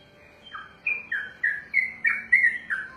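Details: Yellow-vented bulbul (trucukan), a kept songbird, singing a long ropelan song: bubbly, slurred whistled notes, each dipping then rising, delivered in a quick steady run after a brief quiet start.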